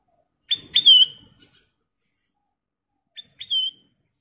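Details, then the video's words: Sooty-headed bulbul offering two brief whistled phrases, each a sharp note sliding into a clear descending whistle, separated by nearly three seconds of silence. "Burung kutilang emas Gacor"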